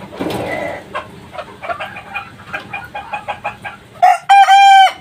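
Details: Three-month-old kukuak balenggek chick: soft repeated clucks first, then a sudden loud, ringing crow of clipped, stuttering syllables in the final second.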